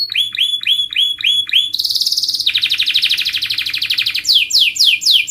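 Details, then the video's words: A contest-trained canary sings in quick phrases: repeated down-slurred whistles, then a fast high trill, a lower rolling trill, and bright sweeping notes to finish. "Canary Mastering Sound for Bird Singing Contest"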